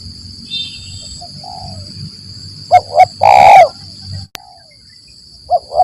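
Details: ["Spotted dove call played as a trapping lure, 'lambung Kuk 1 Mersik' style: two quick soft coos then a long rough coo, a faint coo before and after, over a constant high electronic tone."]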